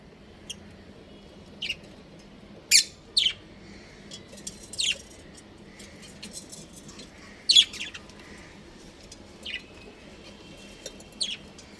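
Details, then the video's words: Pet budgies chirping at home while playing: scattered single high chirps and short twitters, sometimes in pairs, several seconds apart over a low steady indoor hum. "My Cute Budgies Chirping Sounds"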